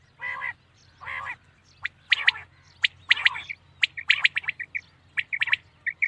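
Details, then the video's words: Common quail at night: two harsh, nasal squawks open, followed by an accelerating jumble of sharp ticks and short bright triplet notes repeated rapidly toward the end. "Common quail sound best awaz night"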